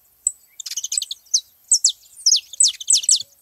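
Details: Saffron finches at a lively gathering, giving bright, high, sharply down-slurred whistled notes in quick bursts. Some notes are clustered and chattery, others single and clean, with short gaps between them.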